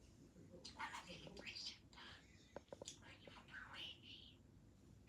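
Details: A sleepy young female pet budgerigar that has just learned to talk chatters in quick, whispery bursts of imitated speech mixed with scratchy warbles.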